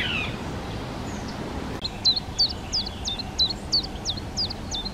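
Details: Spotted flycatcher, a parent bringing flying insects to nestlings in a half-open nest box on a garden hut. The adults raised two young from a replacement clutch. Brief, high, sharply hooked notes, steadily repeated about three times per second, with faint background hiss.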